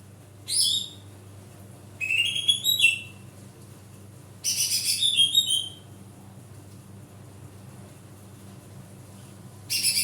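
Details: Greater green leafbird, loud basic song used to prompt a silent leafbird into singing: short bursts of bright, rapidly warbled high notes, each lasting about a second, separated by pauses, over a steady low hum.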